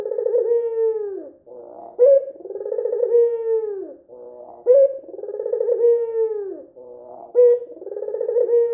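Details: Red-eyed white dove calling, used as a lure to set other doves calling. Cooing phrases repeat about every 2.7 seconds: a short sharp rising note, then a long, rolling, gently falling coo, then a brief low buzzy pause.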